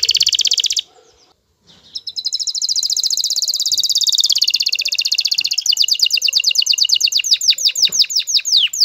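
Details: An excited male canary courting a female sings a long, high, rolling song: a buzzy sustained passage, then fast repeated chirping trills that speed up toward the end.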